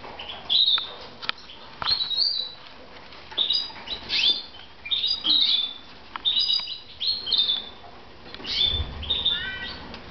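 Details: A lively run of high, twittering chirps and short whistles from several red mosaic pet canaries in Moudania, repeated every half second or so, with occasional soft clicks and a low thump near the end.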